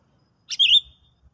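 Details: Sooty-headed bulbul in a bird-trapping lure test after a stimulant: a single loud note, a quick click followed by a bright whistle dipping down and back up, fading off, with soft low thuds.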